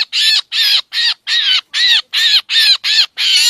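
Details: Black drongo lure for bird trapping, Lao and Thai Isan, said also to bring mynas: loud, harsh, rasping notes, nine in three and a half seconds, with no background noise.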